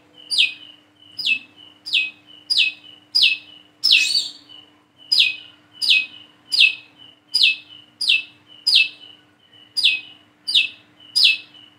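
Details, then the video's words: A plain-throated sunbird learning its song gives a long, fairly even run of piercing downward-sweeping notes, each with a thin whistle before it, about eighty-seven a minute, with one louder burst near four seconds. "PANCINGAN SUARA BURUNG WICEH KOLIBRI KELAPA BIAR BISA WICEH WICEH"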